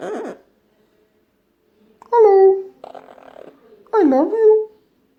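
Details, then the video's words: Indoor pet Amazon parrot, nine months old, imitating human talk: a rough syllable, then two clear voiced words with a falling-rising tone, separated by a murmured, breathy phrase. "Funniest Amazon Parrot Coughing & Talking like human"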